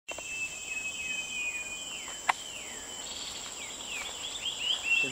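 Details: Short-tailed babbler at Venus Loop, Singapore: a run of clear whistled notes, each sliding downward, repeated about every half second. A steady high insect drone persists throughout, with one sharp click midway.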